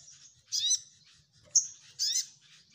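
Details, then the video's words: Spiderhunter (sogok ontong) giving two short buzzy chattering bursts with a sharp high chip between them, all very high and thin, over a faint low rumble. "SogokOntong Gacor Nyecrett N3mbak"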